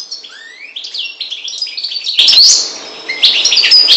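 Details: A Maghreb goldfinch, subspecies parva, opens with a rising whistled slur, then breaks into a quick jumble of sharp tinkling chirps and buzzy trills that grows louder after two seconds, accompanied by a brief rustling sound.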